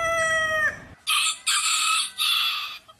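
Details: Domestic rooster crowing: a short harmonic, level note, then three loud, hoarse, broadband crow bursts in quick succession, each about half a second long, separated by brief gaps.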